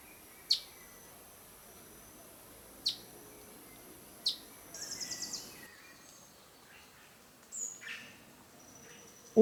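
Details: A male Black-goggled Tanager (Trichothraupis melanops) in dense jungle undergrowth at Araucaria Provincial Park, San Pedro, Misiones, Argentina, gives three sharp, high chips about two seconds apart, then a quick high chatter, over a steady insect hum.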